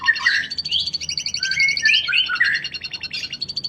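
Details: Canary singing as song material for lovebirds to learn. It delivers a loud, varied warble of sweeping whistles, slurred rising and falling notes and fast rattling phrases, with steady high-pitched pulses running underneath throughout.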